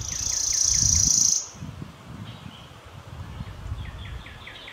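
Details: Worm-eating warbler singing in northern West Virginia: a dry, high, insect-like buzzy trill lasting about a second and a half, with another bird's soft repeated chirps and low background rumble.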